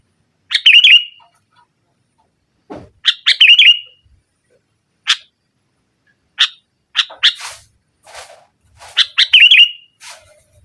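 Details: Lively sooty-headed bulbul singing in the nggaruda style, used to overpower rivals and stir a non-singing bird: short bursts of clipped notes, each ending in a brief warbled trill, with pauses between phrases.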